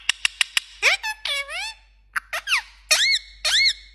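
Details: Parrot indoors mimicking mobile alert sounds: four quick clicks, then long swooping harmonic whistles, a pause, and a few short notes ending in steady, held electronic-like tones.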